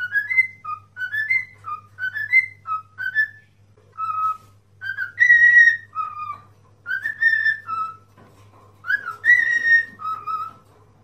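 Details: Cockatiel kept as a pet, whistling for singing practice: short rising and falling two-note whistles repeated in groups, later longer sustained notes, with a constant low hum beneath.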